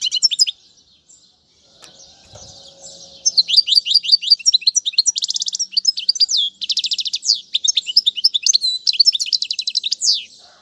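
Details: About three quiet seconds, then a European goldfinch in full song for teaching young birds: tumbling, twittery high phrases with buzzy rattles and fast slurred chips that run to the end.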